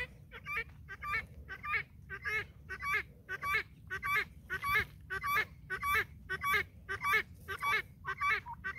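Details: Farm guineafowl flock trailing after a hen: loud, grating two-part calls repeated steadily, almost two per second, in a long, even series over faint low-pitched background noise.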